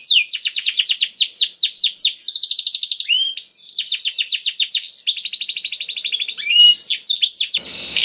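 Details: Canary in continuous 'gacor' song with special phrasing: alternating tours of rapid trills and chains of swooping whistled notes for eight seconds, ending in a brief burst of noise.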